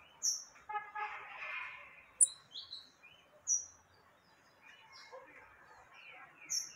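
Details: Yellow-bellied seedeater female giving calls meant to excite a male. Short, high, downslurred whistled notes come singly at irregular gaps of about a second. Softer twittering sits underneath, with a faint hiss throughout.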